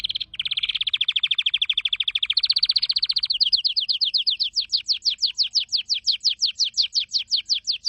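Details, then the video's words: Singing canary delivering a long rapid rattle-like trill that steps up in pitch, then slows into a run of clear descending whistled notes. "Canary singing"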